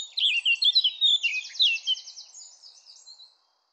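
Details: Wild bird singing in spring 2023 at one spot in Northern California, on the U.S. west coast; high twittering phrases of quick slurred notes, then a fast buzzy trill that fades out, in otherwise quiet surroundings.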